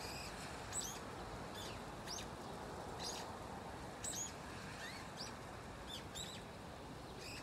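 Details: One aged brown-eared bulbul hidden in an osmanthus tree, a yearly autumn-to-spring visitor, voices sweet chick-like calls: brief high thin chirps scattered about every half second to second across the recording, with faint rushing background noise.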